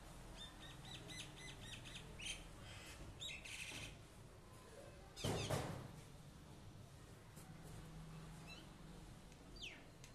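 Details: Common myna in a terrace garden, chirping: a quick series of bright repeated chirps in the first few seconds, then a loud rustling burst, faint later notes, and a steady low background hum.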